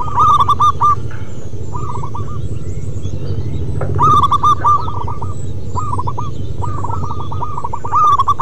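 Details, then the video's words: Local wild zebra dove song: repeated stammering phrases of bright, downward-hooked coos. A louder bird is set against softer ones, and a low droning hum runs throughout. "Perkutut MASTERAN BUNYI Manggung Terlama"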